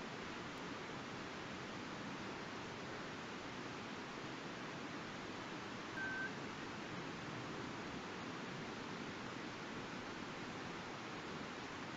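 Steady broadband hiss like wind or surf fills the recording, with one brief electronic beep near the middle and no animal voice.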